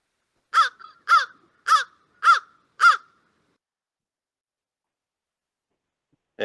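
American Crow giving five harsh, hoarse caws, evenly spaced about half a second apart, each dropping slightly in pitch; a brief sound starts at the very end.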